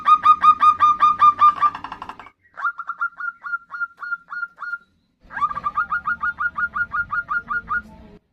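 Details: Calls of a female zebra dove summoning a male: a loud rapid run of bright notes, a softer slower series, then another fast steady string, with a low murmur behind.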